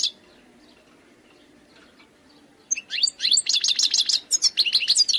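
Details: Wild European goldfinch singing: after about two and a half seconds of near silence, a burst of high, fast twittering notes and rapid trills begins and continues, bright chirps clustered tightly together.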